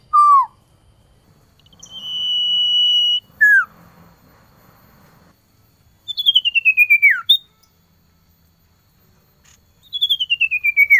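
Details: Male common iora calling to a female in the cold season: a long, steady high whistle, short falling whistles, and rapid descending slurred trills repeated every few seconds, with a quiet background.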